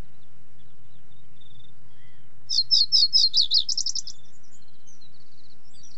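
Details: Common reed bunting, a sparrow-sized bird of waterside reedbeds, gives a short burst of about 1.5 seconds: a few sharp high chirps followed by a quicker jangling trill, then quiet with faint low rumble.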